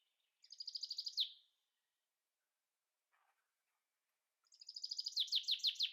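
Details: Male common chaffinch (Fringilla coelebs) sings in the breeding season, from mid-February, while the female builds the nest: two bright, rattling phrases of quick descending notes, each ending in a sharp flourish, with a brief soft call between.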